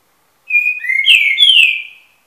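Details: An 8-month-old young Green-winged saltator (Saltator similis) sings one short phrase of rich, clear whistles, a steady note followed by two downward-slurred notes, against a quiet background.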